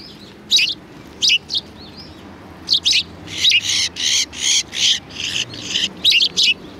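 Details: Sparrows flocking to be fed at a Tenmangu shrine on 7 February 2020, with scattered single chirps giving way to a regular series of loud, ringing chirps.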